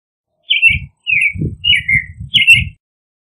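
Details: American robin caroling: four slurred whistled phrases, the third longer and falling, over a steady low rumbling or handling noise.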